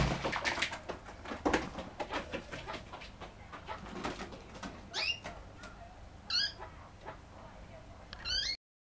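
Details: An aggressive Kurdish chukar gives three short, harsh, nasal calls with a bend in pitch, spaced over a few seconds, after a stretch of clattering handling noise.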